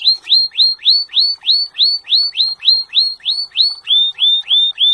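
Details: Canary (Serinus canaria) training song: loud upward-hooked whistled notes repeated about three times a second, fourteen in all, the last few slightly lower in pitch.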